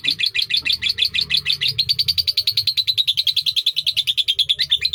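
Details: Sakera song from an Indonesian lovebird, long duration: rapid, pulsing chatter of bright, buzzy notes in an unbroken stream, about three per second, with a low background rumble.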